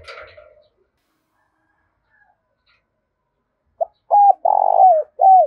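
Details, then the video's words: Spotted dove used to stir fighting and quick cooing in another dove: after a faint noise and a long silence, a low cooing phrase of short notes, a rolling coo and a falling final note. "Tiếng chim cu gáy thúc đấu cực đỉnh/ cu gay kich boi nhanh noi gù"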